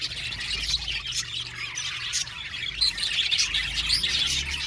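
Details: A budgie colony in an aviary produces steady, busy chatter of many birds, with quick high chirps and rasping squawks layered over one another, and a faint low hum underneath.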